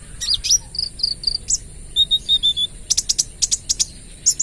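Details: Lure sunbird with spotted plumage in full 'AK 47' rapid-fire song: sharp high chirps open into evenly spaced short whistled notes, then a fast string of very high ticking notes, with a constant shrill background whine.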